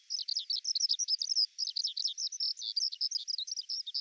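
A Eurasian Skylark pours out a continuous, rapid stream of high chirps, trills and slurred notes with scarcely a pause.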